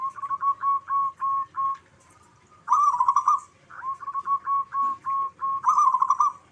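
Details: Local zebra doves answering each other: short, soft, whistled coos near one pitch repeated in quick runs, each run breaking into a rolling, warbled trill, with two such phrases in succession and a brief quiet gap between.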